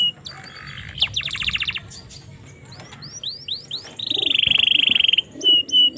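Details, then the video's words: Domestic canary song, Indonesia, for training young canaries: buzzy trills and a quick series of rising notes over faint background noise, then a long loud rolling trill and short whistles. "suara burung kenari cocok untuk masteran maupun pancingan kenari paud"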